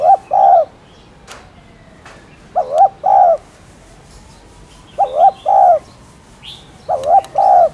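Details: Cooing spotted dove, played to prompt caged doves to call: regular phrases of two soft, hollow, wavering coos repeated about every two seconds, with a few faint clicks between.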